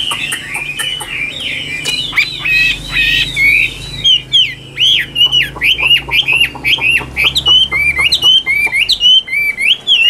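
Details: Chinese hwamei singing in a cage in Vietnam: dense, energetic whistling with short dipping notes repeated roughly twice a second, punctuated by sharp clicks, with a low indoor hum beneath.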